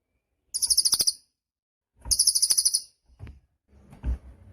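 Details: Cililin song used to train cage birds: two brief, high, fast trills of about ten buzzy pulses each, a second apart, followed by faint low thuds.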